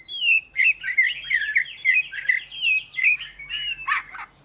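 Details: Oriental magpie-robin singing a rich run of whistled notes, each a short bright slurred phrase around the same pitch, delivered rapidly about two to three per second, with a harsher burst near the end.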